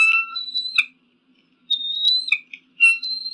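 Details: Eagle cries used to scare off pigeons and crows: shrill, whistled screaming notes in three loud bouts with brief drops in pitch, separated by a silent gap of nearly a second.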